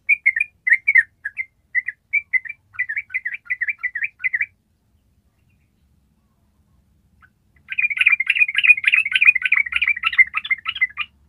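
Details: A yellow-vented bulbul gives bubbly, bright chirps in short bursts, then after a pause breaks into a long, fast, dense chattering trill (ropel) lasting several seconds.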